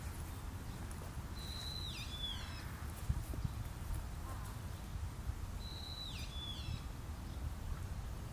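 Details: Long-eared owls, a parent with young, on Tsushima: two high, thin, drawn-out squealing calls about four seconds apart, each holding steady, then dipping and bending down with a wavering tail, over a constant low rumble.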